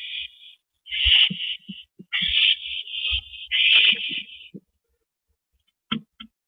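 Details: Owl at its nest during a rabbit delivery to its mate, evening of April 19, 2012: three drawn-out, rasping screeches run almost together, then quiet, with soft knocks and a faint short rasp near the end.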